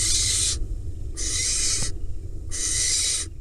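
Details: Barn owl nestling begging from the male after a mouse delivery in a Hula Valley nest box, Israel; steady raspy hisses of about half a second, three in quick succession, over low rumbling background.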